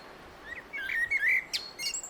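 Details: A common blackbird sings a brief, fluid warbling phrase of low whistled notes ending in two sharp high squeaks.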